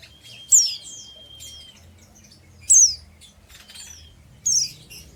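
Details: Young untrained oriental white-eye of the ngeriwik singing style uttering three loud high downward-slurred chirp bursts about two seconds apart, with a level background tone and soft twittering between.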